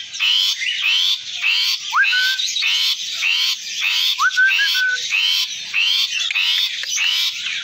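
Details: A tame Asian pied starling in full song gives a steady run of harsh, creaky chatter notes, nearly two per second, broken by a few clear rising whistles.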